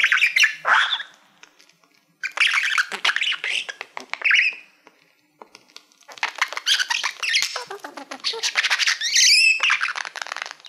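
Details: Pet male budgerigar chattering at a shiny plaque used as a mirror: scratchy, rapid clicking warble in three bursts separated by short pauses, ending with a high squeak, in a small room.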